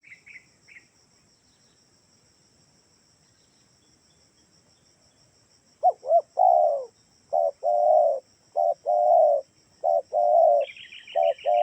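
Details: Spotted dove lure call, used to get doves kept at home to answer: a quiet stretch with brief high chirps, then a run of low, hoarse, rolling coos in short and drawn-out notes, with a steady faint high whine throughout.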